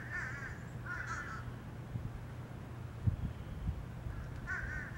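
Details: Crows in Savannah, Georgia, giving harsh, hoarse caws in three short bursts spread over several seconds, over a steady low hum and faint outdoor background.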